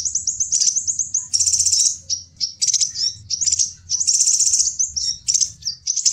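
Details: A crimson sunbird call, used as a lure for wild sunbirds, gives very high, thin twittering notes with rapid chattering trills and buzzy bursts in quick uneven runs.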